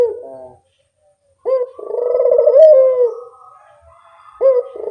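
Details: Lure calling from a spotted dove: a brief trailing note, a pause, then one long vibrating coo that rises slightly and falls away, with a fresh coo starting at the end.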